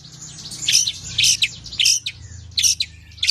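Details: Harsh, scratchy bursts from a tame long-tailed shrike, a bird whose full, varied song serves to coax and tutor other birds: five short noisy clusters of chattering notes, separated by brief pauses, over a faint low hum.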